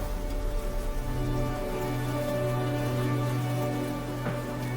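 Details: Sustained tonal music with a low droning bass and soft patter in the background.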